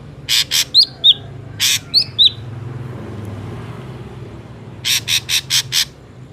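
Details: Ashy drongo recorded in the wild as a lure for trapping drongos: harsh rasping notes mixed with sharp, downslurred whistles in quick clusters, then a pause and a final run of five rasps; faint low traffic hum behind.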